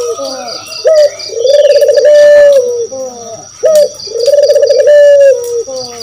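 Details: Spotted dove calling to provoke answers from other birds; two phrases, each a short clipped coo followed by a long burry rolling note that holds steady then falls, about two seconds apart, with a constant high whine and pulsing high beeps.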